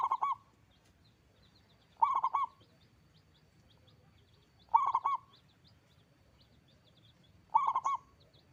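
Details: Local zebra dove singing persistently with a big voice: short rolling cooing phrases of three or four linked notes, repeated about every two and a half seconds, with quiet gaps between and a faint low hum behind.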